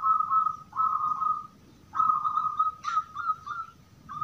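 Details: Zebra dove of the gedong mengo katuranggan type singing in the crystal-voice style, used as a lure that other doves answer: a series of clear, level whistled notes, several held, then shorter broken bursts.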